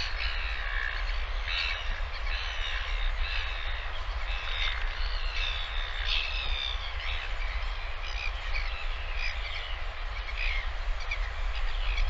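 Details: Northern royal albatross chick receiving lunch from a returning parent, live nest camera, 20 August 2023; a long run of repeated high squeaky chirps, fairly continuous, under loud gusting wind.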